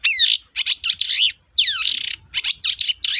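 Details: Long-tailed shrike singing vigorously, a recording meant to prompt reluctant shrikes to answer. Rapid mix of scratchy chatter and sweeping whistled notes, some sliding sharply downward, in dense bursts broken by brief pauses.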